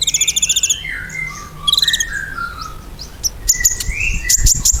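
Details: Ruby-cheeked sunbird used as a song lure to make caged birds sing back: opens with a rapid high pulsed trill, then lower sliding whistled notes, another brief trill, and ends with clicky high chirps over low background rumble.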